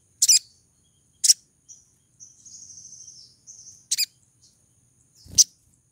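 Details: Female crimson sunbird in breeding condition calling to lure a male: four loud, piercing high chips, some doubled, spaced unevenly, with a thin, high, buzzy trill running between the second and third.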